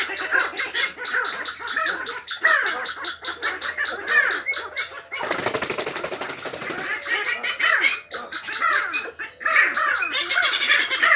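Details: A flock of sandgrouse beginning to choose mates calls in a dense chorus of harsh, chattering notes, with a loud rushing burst near the middle.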